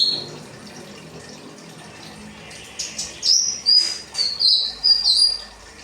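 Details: Kinoi 'rambatan' song, meant as training material for cage birds: a faint high note at first, then after a pause a burst of quick, piercing whistled notes, stepping slightly downward, in the last three seconds.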